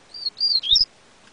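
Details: Short burst from a yellow-bellied seedeater (coleiro baiano): two long level whistles followed by a quick falling and rising slur, all high and clean, lasting under a second.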